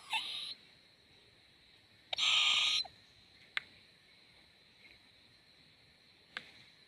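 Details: Owlet, a swaying young owl, gives a brief rasp and then a loud, breathy, hissing screech under a second long. Scattered faint clicks sound in between.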